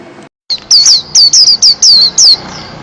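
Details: Pleci white-eye, a national champion singer: after a short silence, loud clear whistled notes, each sliding downward, are repeated about six times in quick succession.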